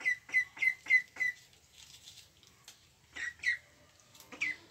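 A duck gives five short, sharp, rather high quacks in quick succession, about three per second. A pause follows, then a few more scattered quacks.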